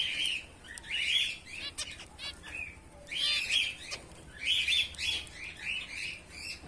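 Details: Bengalese finches, white birds in a colony of males and females, giving a busy stream of short high chirps and buzzy notes in bursts, with wing flutters and some clicking between them.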